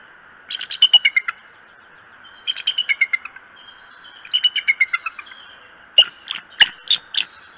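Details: Decorah bald eagles calling at their nest one morning, 21 March 2018: three quick runs of thin, piping chitter notes, each falling slightly in pitch and spaced about two seconds apart, then a few sharp knocking clicks over a constant hum.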